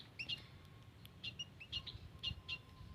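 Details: White-headed munia in a garden, sound captured as a lure: bursts of sharp, thin, high peeps in small clusters roughly every half second, over a soft low background noise.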